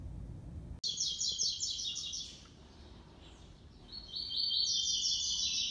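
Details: A six-month-old brown (pardo) Double-collared Seedeater with a classic three-note song contests against a black one, trading two bursts of rapid, high, chattering song phrases over a low background rumble.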